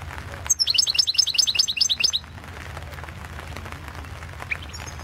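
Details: Competition song of a European goldfinch, entered in the 2016 World Championship in Goldfinch Song, held over the internet. A rapid string of sparkling, repeated twittering notes lasts under two seconds, then near quiet with one faint note.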